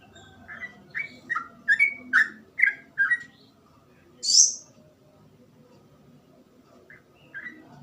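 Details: Sooty-headed bulbul in 'gacor ropel' song style: a brief burst of about eight short whistled notes, then one sharp high chip and two soft notes over a low background hum.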